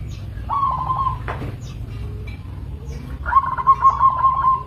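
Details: Two phrases from a local zebra dove: a short trill of soft cooing notes, a gap with faint noises, then a longer beaded run of cooing notes at a steady pitch.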